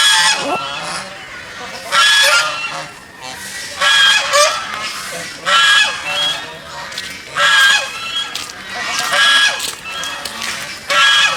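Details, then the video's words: Geese swimming in a pond give loud, coarse honks in rhythmic bursts about every one and a half to two seconds, several voices blending into each burst, quieter between. "Goose Sounds ।। Goose Call । Goose birds swimming and making noise in the pond."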